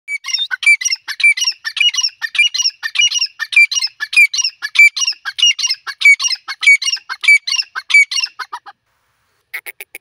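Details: Francolin (teetar) calling: loud harsh squawking notes delivered in a steady, rapid rhythmic series of about twenty phrases, then a brief silence before calling resumes; clean background.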